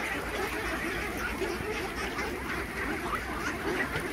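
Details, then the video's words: Khaki Campbell ducks in a flock of about 3000 on a farm quack without pause while being fed. Overlapping nasal calls form an even, dense background. "Duck Farming Feeding 3000 ducks || Khaki Cambell Ducks"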